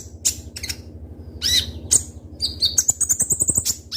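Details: Van Hasselt's sunbird (konin) in captivity, a keenly sought lure bird, delivers scattered piercing high chips, then a fast rattling series of bright ticking notes near the end, over a faint low hum.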